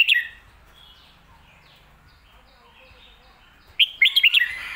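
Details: Red-whiskered bulbul singing the popular 'phat kuay tiew' or 'mae bot' (master song) style: a brief bright warbled note at the start, then after a quiet pause a quick burst of four or five loud, clear, slurred whistles.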